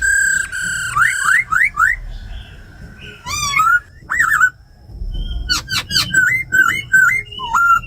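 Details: Female laughingthrush 'ro khẹt' with a tamed khướu mun performing wild-type song to excite new captives; varied whistles, quick upward slurs, scattered sharp notes and a chain of short wavering phrases toward the end.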